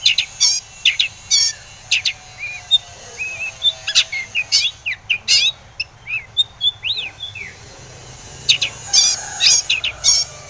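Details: Long-tailed shrike singing to provoke other shrikes: harsh scratchy bursts frame a middle passage of varied whistled and twittering notes, some rising and falling, before the rasping resumes.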